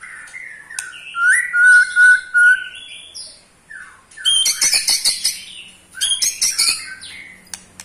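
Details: Eight-month-old Pastol white-rumped shama in ketrekan, stirring other shamas: a steady whistled note, then loud harsh rattling chatter in repeated bursts.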